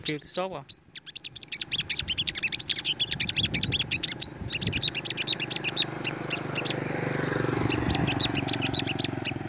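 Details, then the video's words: Olive-backed sunbird in a confrontation with dominant rival males: a few loud rising whistled slurs, then a long stream of fast, thin, high ticking chirps, with a man talking over the middle. "Bây chim hút mật 5màu đối đầu với những con " Đ.ầu đ.àn ""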